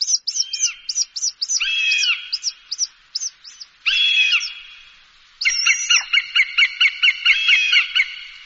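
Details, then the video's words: Hawk sounds used as a bird deterrent: thin high whistled chips in quick bursts, two longer harsh wailing cries, then a rapid chattering series of nasal notes with a final drawn cry. "ZVUK JASTREBA. Rastjerivač ptica. HAWK. The sound of a hawk. The dispersal of birds"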